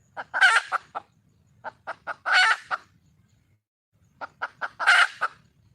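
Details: Wild red junglefowl hen calling to attract a male, repeating a pattern of a few sharp clucks followed by a loud, coarse, drawn-out squawk, three times.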